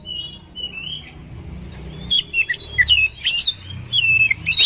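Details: Oriental magpie-robin song in a combination style for training other birds. It starts with soft drawn-out whistles over steady low background noise, then breaks into fast, loud bursts of sharp sweeping notes and buzzy chatter, about two per second.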